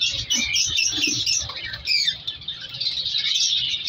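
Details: Colour lovebirds in a captive breeding colony, chicks being separated; busy overlapping squeaks and chirps from several birds, with some soft rustling and fluttering beneath.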